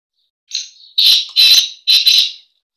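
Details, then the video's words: Breeding call of a black francolin (kala teetar): a faint introductory note, then four strong scratchy notes grouped in two pairs, about 1.5 seconds long, clean with no other sounds. "کالا تیتر کی مستی والی مکس آوازیں"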